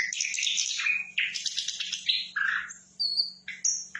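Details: Sikatan londo flycatcher in lively song: dense buzzy phrases first, then clearer high whistled notes and quick chirps, with a faint constant low hum in the background.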